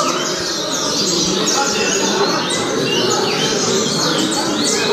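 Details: Double-collared seedeater singing the Altas Horas song style: rapid high whistled and slurred notes, many sweeping down, in quick series over a dense, steady background hiss.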